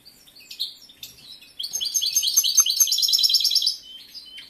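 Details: Male European goldfinch in full breeding condition, caged, opening with a few isolated chirps, then a rapid, dense two-second phrase of bright twittering and trilled notes before tailing off.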